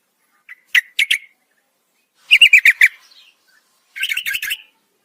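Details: Night calling by a female yellow-vented bulbul to the male, a pair of sharp notes, then a quick stuttering burst of five clipped notes, and a final chattering phrase, all separated by short silences.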